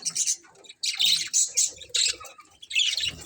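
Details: Budgies in a colony, colourful birds, chirping loudly: bursts of high scratchy twitter and squeaks, nearly continuous, with low rustling sounds underneath.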